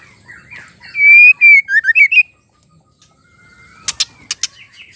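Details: Female white-rumped shama singing to stir male shamas into song: a burst of loud, clear whistled notes, some sliding down, followed by a quiet pause and then a few sharp clicking notes.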